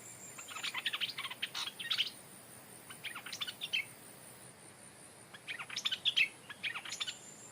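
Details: Caged decoy stripe-throated bulbul, a bird that has never been in the forest, calling at the spot it was taken from, where a new territorial bird now lives. It gives bursts of chattering, bubbly high notes in four or five groups.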